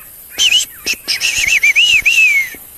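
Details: Sombre greenbul calling near a flowering sickle bush at Rietspruit Game Reserve, Lowveld, South Africa, after a yellow-bellied greenbul: loud, clear wavering whistles, then a long warbled phrase sliding downward, with faint clicks and another bird.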